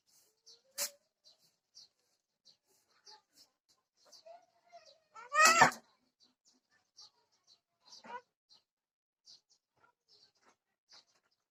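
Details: Odia "desia rami" myna mimicking speech, giving a few short, harsh, speech-like bursts of talking, the loudest near mid-clip, over faint, regular ticking clicks.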